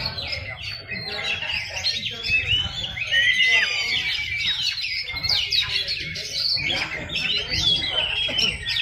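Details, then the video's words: Shrike singing at a bird contest: busy, harsh chattering song mixed with squawky notes and brief clear whistled slurs, delivered in continuous bursts over steady low background rumble. "LOMBA BURUNG PENTET"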